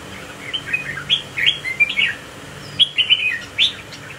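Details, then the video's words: Swaying, displaying red-whiskered bulbul with a spike-shaped crest, giving two clear bursts of lively chirping, slurred whistles, up-and-down notes in rapid sequence, separated by a short pause, with faint background hum. "Cận cảnh chú chim mào đinh nhập đội đánh lắc lư quá đẹp"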